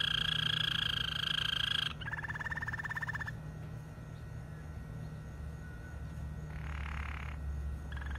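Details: Malinois canary song opening with a loud, bright, sustained trill, then a rapid pulsing roll, quieter rolling phrases and a soft burst near the end; constant low hum underneath.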